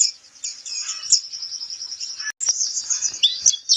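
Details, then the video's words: Pleci kapur white-eye song for bird training, a continuous high, shrill twitter with sweeping chirps, a brief cut partway through, then more bright trilled notes. "suara burung pleci kapur"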